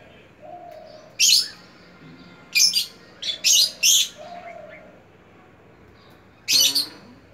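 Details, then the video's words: Lovebird giving loud, harsh, high chirping bursts, a single one, then a cluster of three to four close together and a final burst, with quiet gaps and faint low sounds between. "Melodious voice of love bird"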